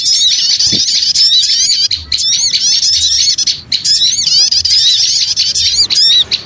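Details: Busy lure recording of small birds: a dense wall of high, squeaky chirps and rapid rising-falling twitters from many overlapping birds, broken by a brief pause near two seconds before the noisy chatter resumes.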